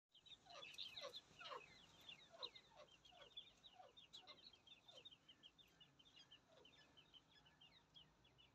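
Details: Francolin chicks playing in their natural habitat peep constantly, high thin notes tumbling over each other several times a second, mixed with a few lower downslurred chips.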